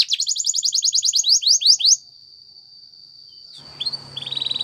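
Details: Spanish Timbrado canary training song opening with a fast rolling rattle of repeated notes that slows into descending sweeps, then a long steady high whistle and a brief resumed trill.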